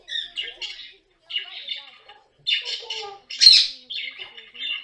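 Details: Pet caique kept at home, shown in funny moments; harsh, raspy squawking bursts repeated in short runs with brief pauses, one louder screech near the middle, faint human-like sounds underneath.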